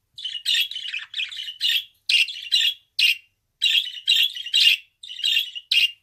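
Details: Budgerigar at home chattering in quick, dense, scratchy notes, several per second, with a short break midway before the busy warbling resumes.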